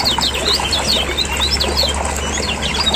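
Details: Lemon-bellied white-eye from Lombok, a noisy lure recording used to get caged birds singing: dense, rapid high twittering chips and short rising notes, overlapping as from several birds, over a low steady hum.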